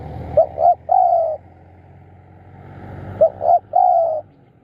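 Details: Decoy spotted dove, kept to draw in wild doves, calling two soft, hollow coo phrases: quick short notes leading into a drawn-out falling coo, over faint low background rumble.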